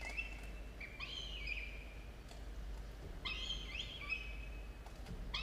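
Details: At the nest at dawn, 27 October 2022, two young falcons aged 17 and 13 days give two bouts of rasping, wavering calls that rise and fall, separated by about two seconds of near quiet with a low hum.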